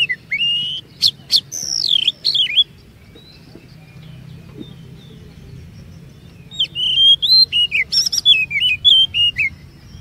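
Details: Oriental magpie-robin song used as a lure to prompt other magpie-robins into long phrases and varied notes: clear whistled slurs and sharp broadband chips in two bursts separated by a quiet gap, with low hum beneath.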